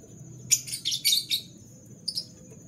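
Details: Canary in the morning: a quick run of bright, high, buzzy chirps over about a second, then a short pair of chirps after a pause, above a low steady hum.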